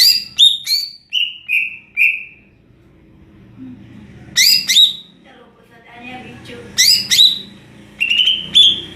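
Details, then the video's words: Greater green leafbird (cucak ijo) in ngeplong style, giving high whistled downslurs and a short run of falling phrases, then a pause with faint low background noise before more bright slurred notes. "Burung cucak ijo NGEPLONG2.."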